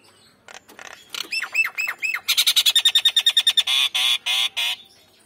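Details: Nias hill myna, male and female together, loudly vocal: harsh squawks give way to looping whistled notes, then a rapid run of about fifteen clipped loud calls and several long buzzy blasts.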